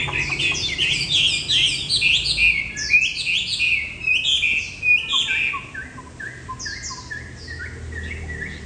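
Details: Old wild-caught, tame Chinese hwamei that has lost its tail feathers in transport, singing in the afternoon after being bathed on arrival home: loud, rapid whistled phrases with sliding notes, then repeated short descending notes.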